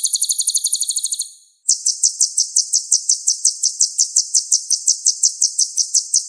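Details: Sunbird singing 'gacor' on a masteran tutoring track: a quick, very high trill, a short break, then an even series of sharp piercing chips at about three per second.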